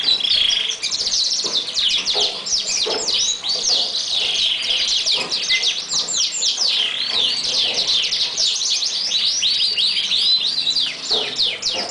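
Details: Lancashire canary, a large breed of English origin, singing a master song used to train young canaries: a dense, continuous stream of rapid high chirps, sweeps and twittering trills without pause, with faint background murmur.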